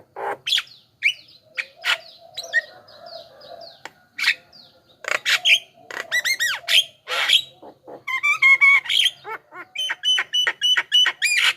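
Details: Javan myna song meant to call in wild mynas: a varied medley of harsh squawks, clicks and chattering notes, ending in rapid repeated whistled phrases with bright ringing tones.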